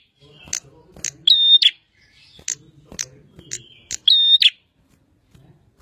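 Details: Bar-winged prinia, known locally as prenjak, in lively song: sharp high ticking notes and two loud sustained whistled phrases with a buzzy edge, roughly three seconds apart, over faint low murmuring in the background.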